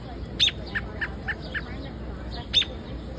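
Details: A bird calling in Central Park: two sharp, high chirps framing a series of softer, lower notes spaced about a quarter second apart, with constant background murmur.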